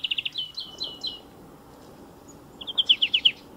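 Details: A European greenfinch (Chloris chloris) sings beside a motor-racing circuit, giving two quick bursts of bright, rattling trilled notes about two seconds apart over a steady low rumble of background noise.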